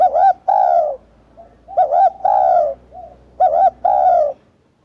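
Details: Spotted dove cooing: three paired phrases, each a short upturned note then a longer, slightly falling coo, with a faint softer coo between phrases.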